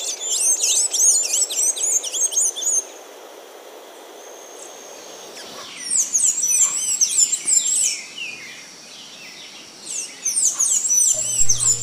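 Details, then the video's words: Blue-gray tanager (Thraupis episcopus) singing bursts of thin, squeaky, high-pitched notes in rapid tumbling series. The bursts are separated by a quieter pause with one long thin whistle, and a faint low hum rises near the end. "O canto do Sanhaço da Amazônia"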